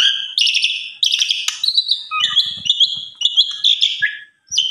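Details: Asian pied starling delivering varied song for training other starlings, with grating buzzy bursts, chattering notes and high whistles, plus faint low knocking sounds in the middle.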